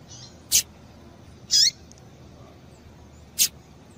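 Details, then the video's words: Female double-collared seedeater call, used to stimulate males to sing: three brief, high, thin call notes, irregularly spaced over a few seconds, against a quiet background. "Piado de Fêmea de Coleiro para Esquentar Coleiro"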